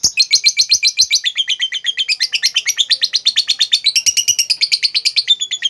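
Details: Lovebird chattering played to make a quiet lovebird sing: a continuous fast series of scratchy, buzzy notes in steady rhythm, pitch wavering up and down throughout, with no other sounds.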